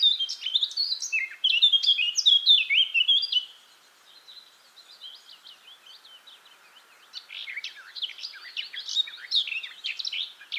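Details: Eurasian blackcap delivering a loud, rich warble of tumbling whistled phrases, then dropping to a quiet twittering before a second, busier run of sharp, high notes.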